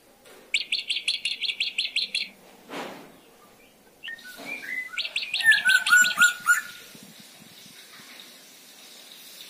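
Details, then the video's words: Black drongo, a male singing energetically as a lure to make other birds sing: a fast burst of about ten sharp, even chips, a gap, then another chip run ending in clear falling whistled notes. "Burung srigunting kantil hitam | srigunting bukit gacor | pancingan"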